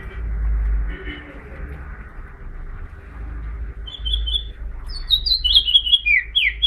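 A house finch sings a quick run of bright, warbled, high chirping notes in the last few seconds, following a low rumble of background noise.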